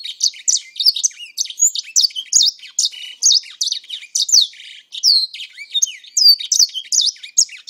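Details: Kept grey singer, owned about four months, delivers a lively run of high twittering song, sweet down-slurred whistles alternating with short chattering trills in a steady, unbroken flow.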